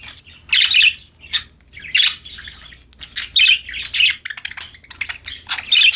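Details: Happy, playful parakeets (budgies) singing: loud scratchy chirps and squawky notes in short bursts roughly every half second to second, broken by brief quiet gaps of soft twittering.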